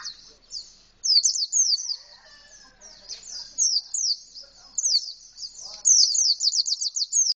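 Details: Canary-style song of an Indonesian white-eye, beak fully open: high thin twittering phrases of rapid downslurred notes, building to a dense fast chattering run near the end, with faint voices in the background.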